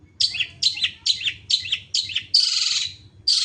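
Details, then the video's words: Pentet, or long-tailed shrike, singing: five harsh, scratchy high phrases about every half second, then a longer buzzy rasping note and a final burst, with a low hum underneath. "burung pentet gacor"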